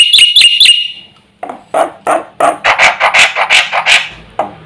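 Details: Javan pied starling singing a varied repertoire said to anger other birds, opening with three quick whistled loops, then a fading pause followed by a sequence of harsh, raspy, chattering bursts.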